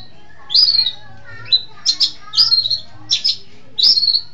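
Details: Long-tailed shrike from East Java with sharp whistled notes that drop and trail off, broken by quick double chips, repeated several times within a few seconds.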